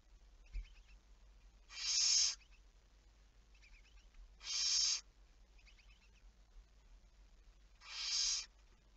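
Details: Barn owl at night, 11 May 2019, 23:34: three rasping, breathy screeches spaced about three seconds apart, with faint softer calls between them and a low background hum.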